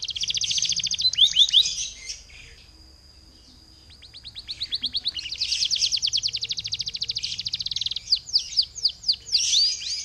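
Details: Canary song meant to trigger other canaries into singing: bursts of rapid high trills and buzzy rolls, a short quiet pause with a thin held tone, then a long fast rattling trill and sharp downward slurs.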